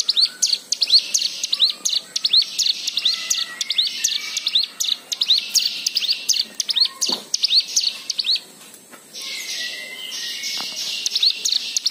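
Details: White-eye song used to prompt other birds to sing: fast high twittering with upward slurs for about eight seconds. A brief pause follows, then a steadier, more even high trill.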